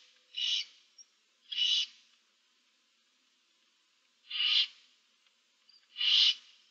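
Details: Barn owl owlets, seven young in a nest box, recorded 15 March 2024: four harsh snoring hisses in two pairs separated by a long silent gap, with faint clicks between.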